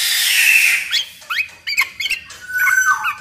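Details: Black-naped oriole singing as a lure for other orioles; a long harsh hissing rasp, then a few quick upward-flicked notes and a short level whistle.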